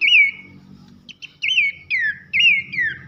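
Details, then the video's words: Abbott's babbler (pelanduk semak) singing loud 'nembak nyiul' whistles: sweet, slurred notes that rise then slide downward, each about a third of a second, spaced by short pauses, with a faint hum below. "masteran nembak nyiul keras khas pelanduk semak"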